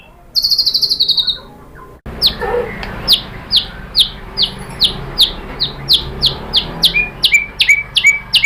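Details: White-rumped shama, murai batu, song played to provoke other birds: a short buzzy trill, a cut, then a long steady series of sharp downward-flicked chips about two or three per second, lower notes joining near the end.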